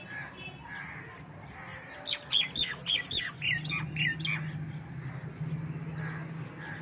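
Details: Baby house sparrow chirping: a quick run of about ten sharp, high chirps packed into two seconds, then softer calls trailing off over a steady low hum.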